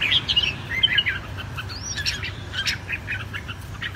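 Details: Red-whiskered bulbul in a cage, from Vietnamese bird keepers training competitive singing: quick liquid whistles and chirps at the start, a rising slurred note, then a loose series of short bright notes, with other birds faintly behind.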